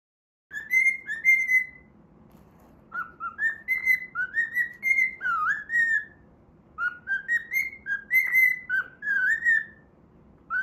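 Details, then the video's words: Pet cockatiel singing while playing, a learned tune from a children's TV opening theme: clear whistled phrases of rising and falling notes around mid pitch, in bursts separated by short pauses, over a quiet indoor background. "歌いながら遊ぶミロ｜Milo playing while singing."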